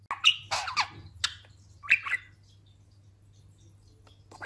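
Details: A plump, newly moulted talking budgerigar kept as a pet utters a quick burst of scratchy squawks and chirps, then a couple more, before falling quiet in a small room.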